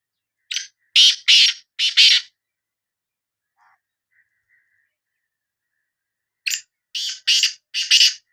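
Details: Sindhi black francolin calling: a harsh, rasping phrase of five buzzy notes, a long silent pause, then the grating phrase repeated with five notes again.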